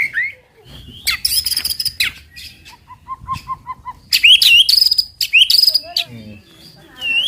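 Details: White-rumped shama 'tembakan' provoking song: harsh noisy bursts mixed with a short series of soft evenly spaced low piping notes, then sharp high whistled flourishes.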